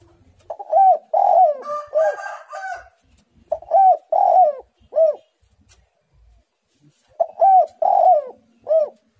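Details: Tekukur, the spotted dove, singing eagerly in the 'menekan rapat' manner. Repeated phrases of short coos, a long falling coo and a curling hooked note. A raspy call from another bird is mixed in near the start.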